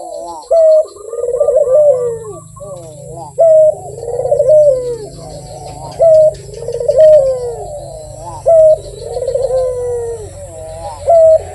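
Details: Persistent Barbary dove cooing for over ten seconds, rolling descending coos alternating with loud flat held notes roughly every two to three seconds, above a low droning hum.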